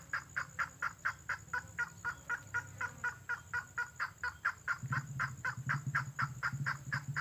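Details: Natural red-legged crake lure call: rhythmic harsh notes around two per second, loud and continuous, with a low humming drone rising in the background toward the end.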